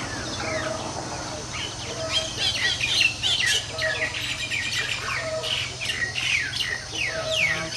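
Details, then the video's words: Group of Nias starlings (jalak nias) battling each other: loud bursts of sharp chirps and steep downslurred whistles, rising and falling in intensity, with faint low background noise. "Burung Jalak Tarung Burung Tarung Kroyokan"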